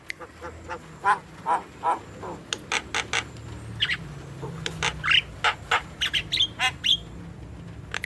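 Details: Javan myna recording meant to provoke young, stalled or lazy birds into calling: spaced harsh chacks and short rising squeals over a low background hum.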